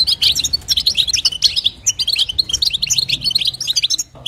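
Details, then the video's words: Short run of female European goldfinch calling to stimulate a male, made of crisp, high chirps and liquid twitters in quick succession that fade out at the end. "نداء انثى الحسون لتحفيز طائر الحسون"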